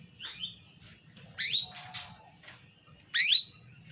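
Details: Female canary call aimed at the male, a lure to make males sing keenly: a soft falling chirp, then two strong, rising, slightly buzzy sweeps about two seconds apart, with brief noisy chirps between them.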